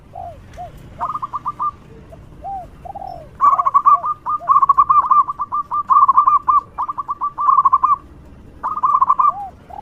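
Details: Local zebra dove in full, loud song meant to lure other doves: bursts of quick, clipped cooing notes in rapid series, broken by softer, lower, drawn-out coos between phrases.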